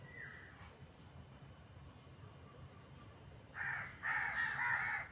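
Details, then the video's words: Crows making noise, with a faint descending note early on, then silence before a loud run of harsh, overlapping caws in the final second and a half. "Crows are making Noise"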